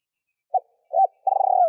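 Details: Female spotted dove calling to stimulate males: a short soft note, a longer mellow coo, then a drawn-out trembling coo that slides slightly downward at the end, all low and hollow, in a quiet setting.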